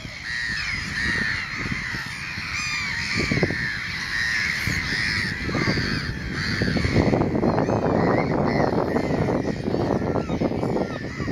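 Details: A flock of Caspian gulls at Champteussé-sur-Baconne, Maine-et-Loire, France, on 6 January 2017 gives harsh, laughing calls that overlap constantly, several each second, over a steady low rumble of wind or distant traffic.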